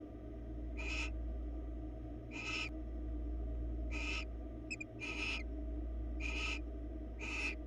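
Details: Barn owls on a nest-box camera in Florida giving repeated harsh, hissing screeches, each about half a second long, spaced one to one and a half seconds apart over a steady low hum.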